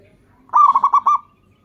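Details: Single rolling phrase of a local zebra dove, used in Indonesia as a lure to prompt other doves: five clipped liquid coos in rapid rhythm ending on a longer note.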